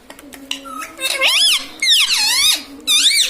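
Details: Indoor pet ringneck parrot speaking learned words like mummy, papa and mitthu: bright, shrill, gliding syllables in three bursts, each wavering up and down, with a faint steady hum underneath.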